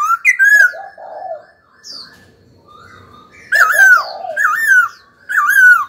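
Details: Caged laughingthrush singing under stimulation. Rich whistled notes with strong overtones come in groups, separated by a quiet gap; the later phrases loop up and down in loud, repeated sweeps.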